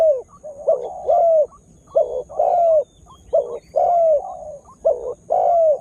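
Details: Spotted dove used for luring wild birds, newly calling often: a brisk series of mellow coos, short clipped notes paired with longer descending ones, about six phrases in six seconds.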